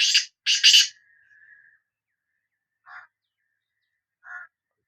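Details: Black francolin of the Sindhi type giving a loud burst of rasping, scratchy notes, with a faint trailing tone after them, then two softer, lower, clipped notes spaced about one and a half seconds apart.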